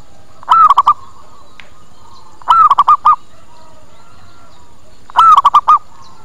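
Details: Lure call of the zebra dove, played to bring birds in: three evenly spaced cooing phrases, each a longer slurred coo trailed by three or four rapid short coos.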